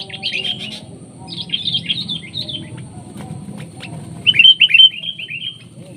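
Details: Wild sooty-headed bulbul in the field, responding to a decoy bird. Short bubbly, warbled phrases of quick chirping notes come in three bursts, the last loudest and clearest, over a low rumbling background.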